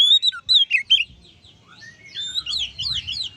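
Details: Kacer (oriental magpie-robin) singing ngeplong to spur other magpie-robins: three or four loud whistled notes, then a softer, scratchy warble of overlapping slurred phrases.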